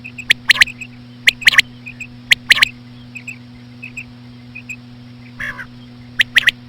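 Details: Slow female common quail calls for luring quail: crisp three-part 'quip-ip-ip' bursts about every second, faint chirps between, one brief wavering nasal call late on, and a constant low electrical hum.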